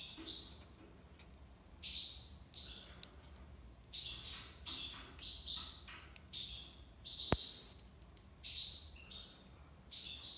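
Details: Goldfinch singing in the tiwawati style, an irregular chain of sharp buzzy notes with a single loud click near the end.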